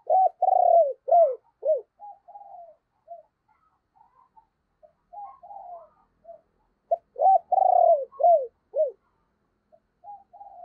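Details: Spotted dove used as a decoy to attract wild birds at morning, giving two loud coo phrases of a long purr and falling slurred notes, with soft distant cooing and faint chirps in between.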